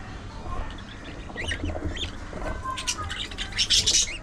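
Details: Budgerigar chatter: scattered high scratchy chirps and short buzzy notes, busier and louder near the end, over a steady low hum.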